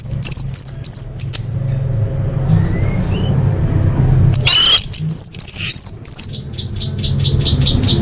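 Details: Full-fill orange-headed thrush training song for major contests: very high wavering whistled phrases, a brief burst of noise, then a string of quick evenly spaced high notes over a low background rumble.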